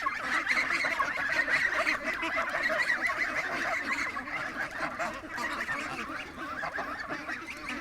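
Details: Young geese in a farm pen, among them a Chinese goose, calling together in a dense chorus of nasal, overlapping honks, rapid and uneven, several per second.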